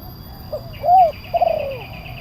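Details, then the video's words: Spotted dove of the kuk 1 style used as a lure for wild doves: a short hoot, a rounded coo, then a long coo falling away, with a faint high chirping series behind. "Suara pemanggil burung tekukur kuk 1 penguku suara besar"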